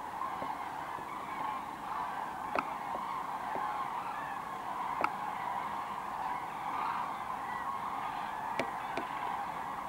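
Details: Common cranes, some of 24,000 gathered at Kvismaren, coming in to roost in the wetland: a dense, continuous chorus of overlapping trumpeting calls from many birds, with a few sharp clicks of handling noise.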